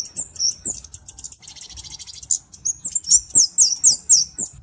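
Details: High scratchy rustling at first, then the Kemade cabe-cabean flowerpecker bursts into a fast series of piercing, evenly spaced chips, roughly four per second.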